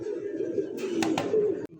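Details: Pigeons at a farm near Savar, Dhaka, Bangladesh: a low, steady cooing hum throughout, broken by a couple of sharp clicks or knocks and ending abruptly.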